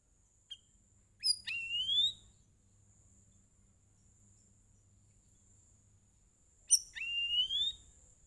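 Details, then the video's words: Sooty-headed bulbul song used as a lure recording to get other birds singing: two short bursts of quick, rising whistled notes about five seconds apart, over a faint steady high-pitched hiss. "KICAU CUCAK RAWIS PANCING BURUNG LAIN BERBUNYI"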